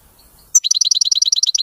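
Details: European goldfinch giving a clean, faultless song. After a near-silent start, a rapid, evenly repeated high twitter rings out, about a dozen bright notes in a little over one second.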